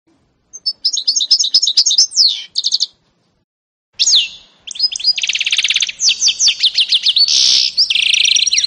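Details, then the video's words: Song of a 2018 canary-goldfinch mule: bursts of high chattering trills, a brief silence, then a long run of buzzy rolls, rapid twitters and sweeping slurred notes. "canary-Goldfinch mule"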